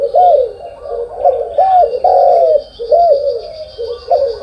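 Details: Spotted dove cooing in the morning: overlapping arched, hollow coo notes, several rising then falling, repeated in quick succession with little pause, over a faint high steady hiss.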